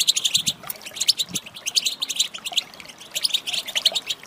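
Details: Calls of a female European goldfinch, meant to prompt males to sing: bright, high chirps and twitters in rapid clusters, a few sharper whistled notes standing out, with short gaps between bursts.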